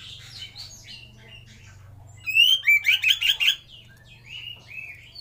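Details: Oriental magpie-robin singing varied whistled phrases, then a loud burst of rapid sweet notes, with softer whistles trailing off and a low hum beneath; offered as a lure and master song for training other magpie-robins.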